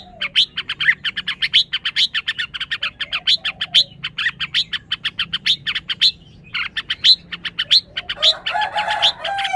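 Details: Dense, almost continuous chipping from a caged red-whiskered bulbul, possibly highly excited, a few notes a second, closing with a harsh, squawking chatter.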